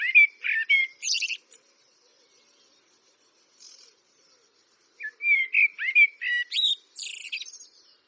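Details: Eurasian blackbird song with two bursts of mellow whistled notes, each trailing into scratchy high twittering, separated by a few seconds of near silence.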